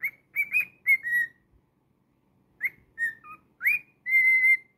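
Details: Pet cockatiel sings two whistled bursts split by a silent gap. Short rising chirps come first, then a dropped lower note and a long sustained whistle at the end.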